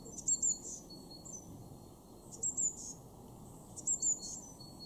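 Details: Three phrases of high, thin, falling paired notes from a Eurasian blue tit in a garden at Weener, East Frisia, Germany, recorded February 2023, separated by pauses of about one and a half seconds.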